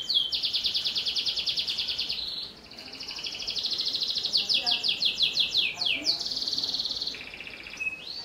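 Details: Canary in energetic song, used as a lure to prompt young canaries to sing: long rapid trills near four kilohertz alternating with sweeping downward whistled slurs, phrases changing every second or two, with faint background hiss.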